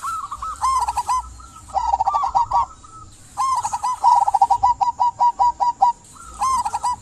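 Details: Zebra dove of a local strain singing energetically to lure silent doves into calling; bursts of rapid staccato coos repeat with short pauses, one long run of quick identical notes in the middle.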